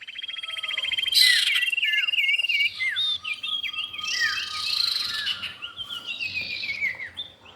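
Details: Common iora, male and female, calling for luring: a fast even trill gives way to bouncing looped whistles, then a long low steady whistle and scattered falling notes.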